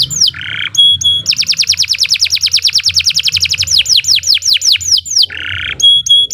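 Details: Canary master song for training other birds: short buzzy bursts, then a long fast trill sliding into a series of falling whistled sweeps, closing with buzzy notes and high pips.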